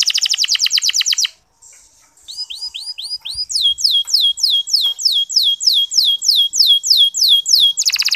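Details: Canary singing soft 'ngeriwik' chirps, a lure for flagging male canaries: a rapid trill, a short pause, then a long, regular series of clear descending whistled notes, ending in another quick trill.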